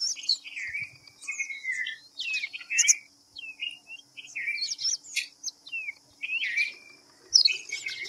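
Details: Series of crisp whistles from a white-browed fantail (Rhipidura aureola), quick falling notes and sharp high accents separated by short gaps, with a steady faint high-pitched drone.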